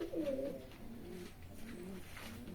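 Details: Pigeons in a pigeon house coo, opening with a louder throaty note, then repeated low wavering murmurs that pulse and fade over the rest of the stretch.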